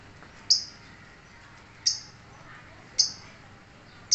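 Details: Lovebird uttering single piercing high chips, four in just over three seconds, with irregular gaps over a low background hum.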